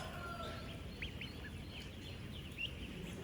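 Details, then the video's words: Ten-day-old ducklings among thousands on a duck farm: a few clear, sharp, rising peeps stand out against a busy, low background hum, with fainter chirps behind. "16,000 Ducklings Making AMAZING Sounds!"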